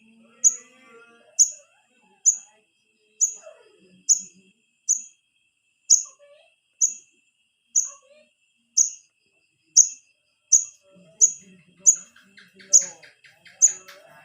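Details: Young wiceh calling for its parents, a lure for the adults: short, high, sharp chirps repeated steadily about once a second, with soft background chatter and a burst of other bird calls near the end.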